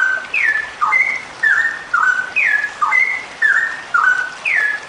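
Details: A female straw-headed bulbul pours out a long, rich song of mellow whistled notes that slur up and down, about two phrases a second, over a faint background hiss.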